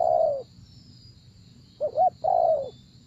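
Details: Spotted dove in a trapping setup: a falling coo, a pause, then a short double note leading into a long mellow coo, with a low background rumble and a faint continuous high tone.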